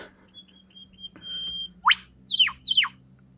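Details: A whipbird, apparently in Australian mountains, holds a long, thin, high whistle, then snaps out a sharp upward whip-crack, answered by two quick descending notes. A faint low hum runs beneath.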